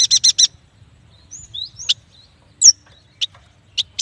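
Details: Yuhina, called prenjak batu, giving a short four-note chattering rattle, then thin gliding whistles and spaced single sharp high chips.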